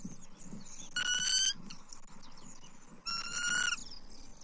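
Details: A bald eagle at a Southwest Florida nest on 29 October 2024, as the male delivers food to the female: two loud, level, ringing squeals about half a second long, two seconds apart, over low background hum.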